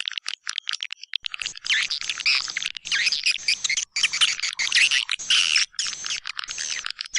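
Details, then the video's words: White-nest swiftlet lure call, Kaltimtara type, used for swiftlet houses in East Kalimantan. Flickering high chirps open the sound, then it swells into dense, buzzy twittering in ragged bursts. "Suara panggil kaltimtara"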